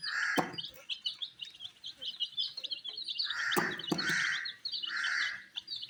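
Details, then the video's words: Colored baby chicks pecking at wheat, a continuous chorus of thin, high, falling peeps from several birds, broken by softer mid-range bursts and a few sharp clicks. "Colors MURGI baby Chicks are eating "wheat Challenge" with "Chicks Chirping" Sounds"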